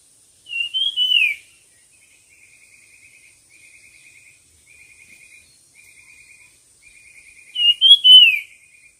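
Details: Singing-contest bird giving two loud whistled, downward-slurred phrases several seconds apart. Soft, rapid, buzzy insect-like trills fill the pause between them.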